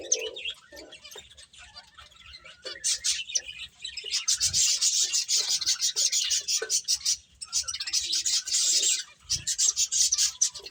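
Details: Feeding finches give quick high chirps, sparse at first and then a fast, steady run of tweets, with brief pauses and occasional low bumps from the birds eating.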